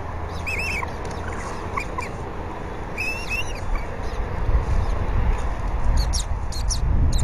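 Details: Bald eagle pair at the nest, 20 February 2019, the female feeding the eaglet fish the male brought; a few arched whistled chirps early, then faint high squeaks as low wind noise grows louder.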